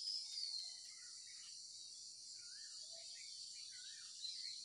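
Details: Morning birdsong: several short, sliding chirps and warbled notes at mid-high pitch, scattered irregularly, laid over a steady high-pitched insect-like drone that fills the background throughout.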